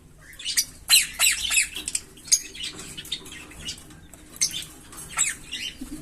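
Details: Green Fischer's lovebird pair, a colour form said to sing long songs, giving a run of sharp, squawky, high chirps and twitters in dense bursts, with a quieter pause midway before more scratchy chirps resume.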